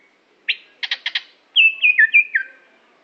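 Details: Greater green leafbird of the Aceh type, a performing bird: four sharp separate chirps, then a loud falling series of whistled notes stepping downward in pitch, ending cleanly in silence.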